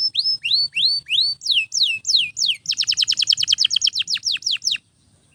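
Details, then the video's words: Domestic canary song meant for training other canaries, sung nonstop: rising and falling whistled sweeps, then a rapid rolling trill of about a dozen quick repeated notes, ending with a few slower downward slurs. "Canto de Canário Gritando Sem Parar – Ideal para Encorpar Outros Pássaros!"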